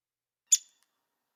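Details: A lone downy woodpecker call: one crisp, high-pitched note, struck sharply and fading fast, with silence before and after.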